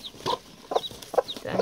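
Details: A broody Spanish hen, defensive and pecking while her first chicks hatch, gives four low, short clucks about every half second, while thin high peeps from newly hatched chicks sound between them.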